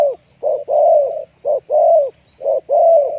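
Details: Spotted dove luring wild birds to a trap, where a deep-voiced wild 'ku ang' dove was caught: steady low coos in short-long pairs, roughly one per second, clear and loud.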